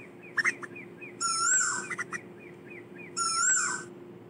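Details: Asian koel calling the flock: two loud, drawn-out, harmonic-rich calls roughly two seconds apart, over a quick background series of short arched chirps and a steady low hum.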